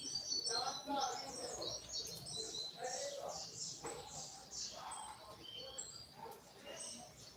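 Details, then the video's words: Double-collared seedeater (coleiro) singing the short 'tui tui' puxada song style, third note: rapid high chirps and short whistled notes tumbling over each other, about two per second, with faint voices in the background. "Puxada de coleiro Tui Tui curto 3° nota"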